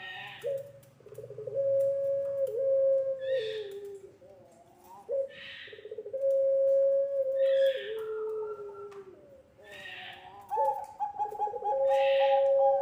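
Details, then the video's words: Lure recording of a puter pelung dove to train young doves: a series of long, low, level coos with stepped drops in pitch, repeated phrases about every four seconds, each punctuated by a breathy hissing burst. "SUARA PANCINGAN BURUNG PUTER PELUNG GACOR COCOK UNTUK MASTERAN PUTER MUDA"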